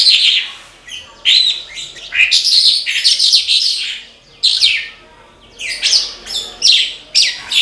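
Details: Horsfield's bush lark singing hard in separate bursts: quick, buzzy, high-pitched phrases packed with downward-sweeping notes, each lasting about a second, with clear silent gaps between them.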